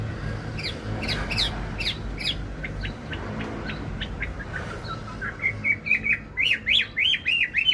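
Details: Wambi lure song used to set other birds singing: scratchy clicking chips at first, then a series of sharp short notes, ending in loud rhythmic wavy whistled trills, with traffic-like rumble underneath.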